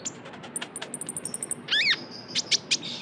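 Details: Young Javan white-eye lure sound: a quick even run of high piping chirps, a louder wavering rising-and-falling note, then a few sharp separate chirps.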